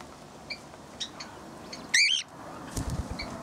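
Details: A cockatiel in a large aviary on a morning of hand feeding gives one loud, rising whistled contact call among softer chirps from other small parrots, likely turquoisines.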